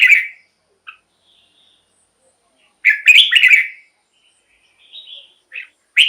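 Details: Red-whiskered bulbul song used to excite caged birds and lure wild ones: a short whistled note, a long silence, then a bright bubbly whistled phrase, a soft whistle and a final loud note.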